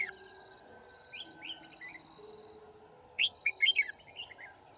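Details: Red-whiskered bulbul recorded during a trapping session on 9 February 2019: soft slurred notes at first, then a loud rapid run of bright, bouncy chirps near the end, over a constant faint hum.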